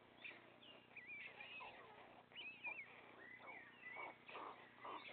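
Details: Young white stork chicks, three left in the nest, beg while the father feeds them; looping high whines, a sharp rising squeal, then lower blaring mew-like notes.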